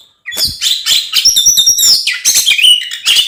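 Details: Oriental magpie-robin in aggressive fighting mode, meant to provoke rivals: a fast, jumbled stream of harsh chattering chips and high squeaky notes without pauses.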